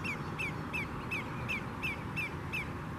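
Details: Greater Yellowlegs alarm calls: a rapid series of about eight clear, falling whistles, 'tew-tew-tew', roughly three per second, over a steady low rumble of wind or water.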